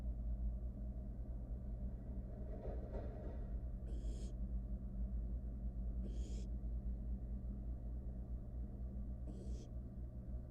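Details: Barn owl nestling, wild, in a monitored nest box as it swallows a mouse: three short hoarse hissing bursts spaced two to three seconds apart, preceded by soft rustling, with a continuous low hum underneath.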